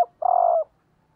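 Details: A single long, even, low coo with a faintly rough texture from a female spotted dove kept as a decoy, calling to stimulate males.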